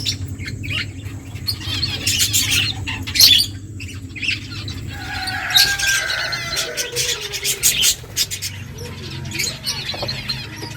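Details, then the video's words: Finches at food trade harsh, high squawks and rapid chirps, mixed with sliding calls and clicking sounds from feeding, over a low background hum. "Beautiful finches eating food birds chirping sounds"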